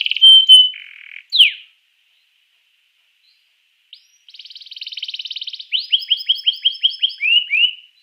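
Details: Canary song used to encourage other canaries to sing: a steady whistle and short sweep, a long pause, then a fast buzzy trill and a run of repeated rising notes.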